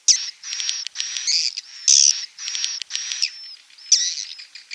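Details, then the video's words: Rainy-season swiftlet call, recorded on a phone at 17:00 on 19 July 2020 in Nunukan, North Kalimantan, at a swiftlet house. It gives high, buzzy chirps in short bursts about every half second, some ending in thin whistles. "suara panggil musim hujan"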